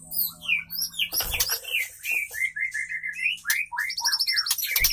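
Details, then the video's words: Female white-rumped shama singing to attract a male: a dense medley of rising and falling whistles, chirps and harsh bursts, with some high twittering notes and a steady low hum underneath. "murai betina gacor"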